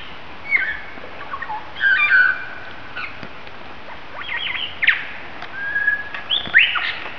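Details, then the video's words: Lyrebird mimicking other birds at Mason Falls, Kinglake National Park, Australia, in the bush: varied whistled and harsh notes around mid pitch, short bursts and rising sweeps scattered over several seconds, including squawk-like phrases. "Lyrebird of Australia. Amazing bird calls. Mimicking calls of other birds including the kookaburra."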